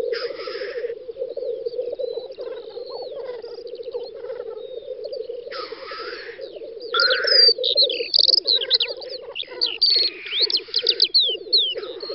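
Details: Several black grouse displaying at a spring lek in western Russia, Volga federal district, May 2019. Continuous low bubbling cooing is broken by loud hissing sneeze-like bursts, with many high chirps and twittering notes from other birds.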